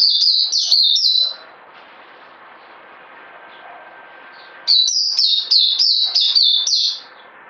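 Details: High, sharp twittering song from a bird on a health supplement: a quick run of dipping notes, a pause of about three seconds with low hiss, then another fast series of repeated high chirps, around four per second.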